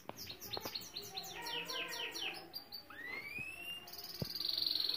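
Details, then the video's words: Saira canary song of quick descending repeated notes, then a long rising slurred whistle, ending in a fine fast rattling trill; occasional knocks in the background. "سایرہ کناری مست از استاد ضامن/Saira canary singing"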